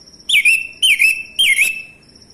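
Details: Song of a male orange-headed thrush, used to provoke other birds into singing: three rich whistled phrases, each sliding down and wavering, about half a second apart, over a constant thin high tone.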